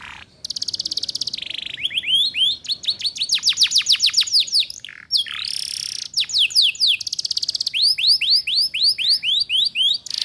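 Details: Canary said to be a female calling to attract males, used as a model for young canaries learning to chatter ('ngeriwik'). Dense high rapid trills and repeated rising slurs, with a harsh buzzy note midway, nearly continuous.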